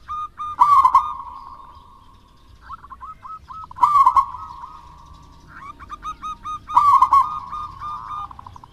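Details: Local wild-type zebra dove singing hard to prompt quiet doves: loud warbled coo bursts about every three seconds, each trailing into a sustained coo, with pattering short coos in between.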